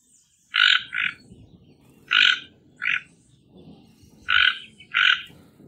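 Harsh, croaking grunts from a toco toucan, mostly in quick pairs every couple of seconds, over a low background rumble.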